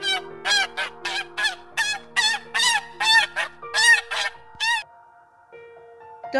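A goose gives a quick run of about ten loud, nasal honks, roughly two per second, over soft steady background music.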